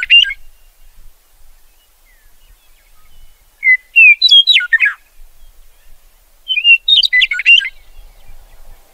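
A meadowlark sings two full phrases about three seconds apart. Each opens with clear whistles and ends in a rapid, gurgling tumble of notes. The background is quiet.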